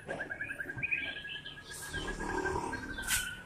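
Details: White-rumped shama singing: a quick run of evenly spaced clipped notes at one pitch, then higher thin whistles and a fading trill, soft against a hushed background.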